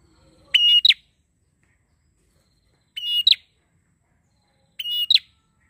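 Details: Lively prinia song meant to draw and train birds: three identical phrases, a held bright whistle snapping into a short downward double chirp, repeated roughly every two seconds in a quiet background.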